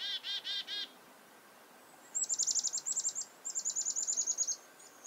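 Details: Chickadee alarming at a goshawk nearby, on a farm in February 2021. A few buzzy dee notes at the start, then two fast runs of thin, very high, ticking notes, about a dozen in each run.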